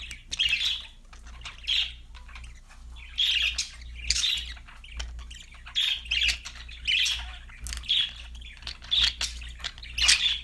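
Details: Budgies calling as pets, harsh buzzy squawks repeated roughly once a second in an irregular series, with soft twittering between them and a low steady hum behind.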